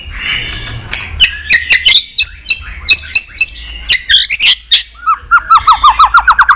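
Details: White-rumped shama fighting song of rapid chirps and whistles over clicks, ending in a regular series of descending whistled notes.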